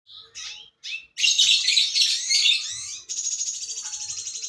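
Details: Red siskin singing in a lively burst: short high chirps, then a dense warbled twittering phrase and a fast rattling trill repeated about four times a second.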